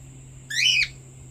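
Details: Pet cockatiel outside in the morning, the companion to a rescued female cockatiel, giving a single short whistle that rises quickly then dips at the end, over a steady low hum.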